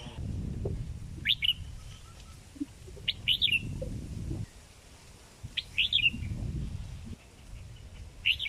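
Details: A kept sooty-headed bulbul aged more than four months sings short, bubbly whistled phrases about every two seconds, four in all, over low rumbling background noise.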